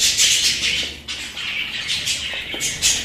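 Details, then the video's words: Pet budgerigars chattering, with dense, scratchy warbles and squawks concentrated high in pitch, broken by short pauses and brief bursts of faint noise. "আমার পোষা প্রাণী বাজরিগার"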